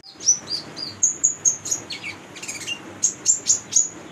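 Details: Gacor female brown-throated sunbird, kept to stimulate untrained young birds: loud, high, thin whistled chirps repeated rapidly, with a short descending twitter midway and a steady string of bright notes at the end.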